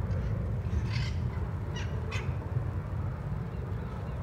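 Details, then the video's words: Feral parrot flock in Costa Mesa Eastside, recorded 11 May 2019: a few short, harsh squawks near one and two seconds, rising above a steady low rumble of traffic that fills the rest of the recording. "Feral Parrots in Costa Mesa Eastside"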